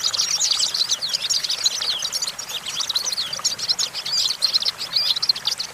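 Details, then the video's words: Perched on a branch, a European goldfinch delivers a rapid, liquid twittering song of high, tinkling notes and short trills, continuous throughout, over a light background hiss. "Discover the stimulating sounds of the natural the goldfinch"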